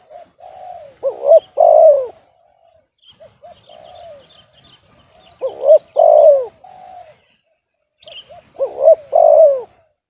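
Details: Off-key-voiced spotted dove cooing steadily. Three phrases, each a soft lead-in, a pair of short rising hooked notes and a strong long coo falling at the end, are spaced roughly three and a half seconds apart. Faint twittering sounds behind.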